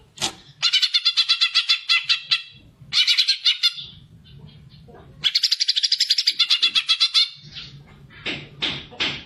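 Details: Greater green leafbird in fighter gacor mode, a song used to stimulate other birds, for group or young-bird training. Several rapid, buzzy trills of repeated high notes, one long and dense, ending in scattered harsh chips.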